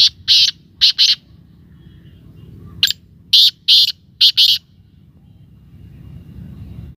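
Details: Black francolin repeating its grating call twice: each phrase a rhythmic run of four or five short, harsh, buzzy high-pitched bursts, separated by a quiet pause with faint low rumble.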